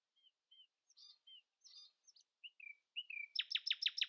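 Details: Early-morning song of a common nightingale that will not let rivals sing louder: scattered soft whistles and scratchy notes build into a sudden loud burst of five rapid, sharply descending strokes.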